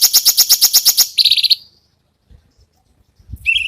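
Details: Cucak cungkok besetan song, used as master material for contest birds: a quick series of about eight harsh, high pulses, then a short buzzy trill and silence, and finally a rising whistled note.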